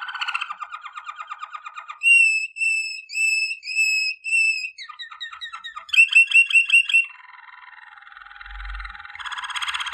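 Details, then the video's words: Waterslager canary song for training, indoors: a low rolling trill, then long clear whistled notes in a row, a string of falling chirps, a bubbling trill and a softer buzzy rolling passage. "Legendary Waterslager Canary Singing For Training"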